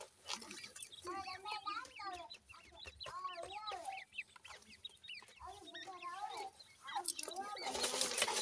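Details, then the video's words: Several grey francolin (gora teetar) chicks keep up a busy chorus of sharp, arched peeps, grouped in short clusters with brief pauses, ending with a rising hiss of noise. "pheasant bird chicks sound,gora teetar chicks ki Awaaz"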